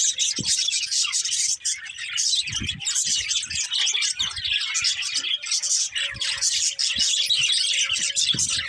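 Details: Pet budgerigars twitter and chatter nonstop, bright squeaky notes overlapping into a constant high chorus; a faint low steady hum enters in the second half alongside occasional soft thuds.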